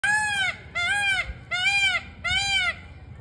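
A peafowl gives four loud, nasal, wailing calls in quick succession, each rising then falling in an arch, with faint low rumble behind.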